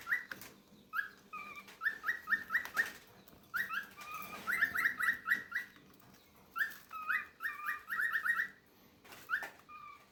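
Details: Very young cockatiel chicks, fed by their parents, beg with rapid bursts of rasping, chittering notes repeated in quick runs.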